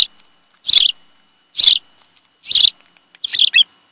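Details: Nest-camera sound of an osprey pair on Kent Island, Maryland, 26 July 2018, mid-afternoon; four high, slurred whistled chirps at roughly one-second intervals over silence.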